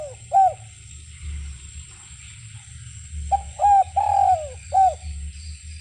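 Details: Spotted dove giving mellow cooing phrases: a brief pair of notes at the start, then, after a pause, a series of clipped coos and a long coo falling in pitch, followed by a final short note.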